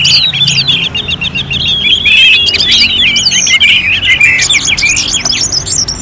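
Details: Orange-headed thrush song as a contest simulation for training songbirds: a steady, rapid chain of high whistled notes and trills that rises into louder, more tangled phrases toward the end.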